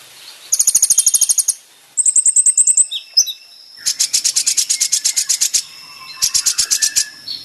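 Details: Kolibri ninja (sunbird) song recorded for training caged birds. Shimmering high trills and twittering phrases follow one another with brief gaps, some phrases lower and buzzier than others.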